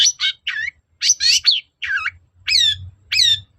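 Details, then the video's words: Long-tailed shrike (cendet) song used as a lure to provoke a reply: varied harsh chattering notes and downslurred whistles between about 2 and 6k, phrases roughly every half second, faint low hum beneath. "pancingan cendet agar nyaut gacor"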